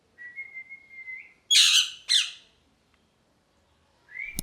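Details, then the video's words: Parrot producing a long, steady, pure whistle that lifts slightly at the end, then two loud harsh squawks, a pause, and a short rising whistle, indoors with no other noise. "Parrot Chirping Sounds | Natural Parrot Sounds | Parrot Calling Sounds"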